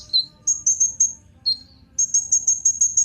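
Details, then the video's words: A Kolibri Ninja sunbird, used as a singing lure for other birds, gives a few thin descending notes, then a quick run of very high, sharp ticking chirps. "Kolibri Ninja Pancingan Penggacor Burung Cocok Buat Isian Segala Burung"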